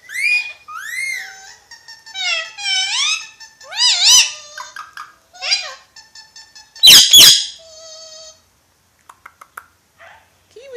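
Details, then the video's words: A pet ringneck parrot talking, from Pakistan, chatters in quick, speech-like phrases of high, arching, nasal notes, broken by sharp squeaks and one loud harsh screech. "Ringneck Parrot Talking"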